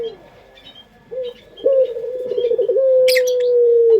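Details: Puter pelung collared dove, a locally kept dove, its melodious song used as a lure: a sharp opening coo, a throbbing rolling middle, then a long steady drawn-out low coo, with faint high chirps of small birds behind.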